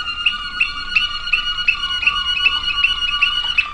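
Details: Waterslager canary singing in 2009: a steady low whistled tone under repeated bright water-like notes, about three per second, with clear harmonics and little background noise.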